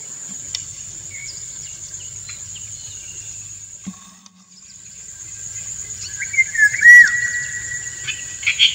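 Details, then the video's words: Male Indian golden oriole singing a courtship song to a female who dances to it; a loud fluted whistle with a falling slur arrives late, after a quiet stretch, over a steady high insect drone. "Indian Golden Oriole - An Uncut Courtship Session"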